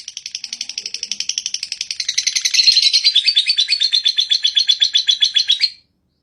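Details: Lovebird giving a long ngekek trilling song: a fast, high, rattling chatter of evenly repeated notes, about four per second, swelling louder midway and running nearly six seconds before stopping abruptly; no other sounds.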